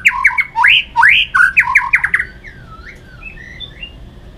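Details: White-rumped shama fighting song for training: rapid loud upslurred and downslurred notes over about two seconds, fading into soft quiet warbles.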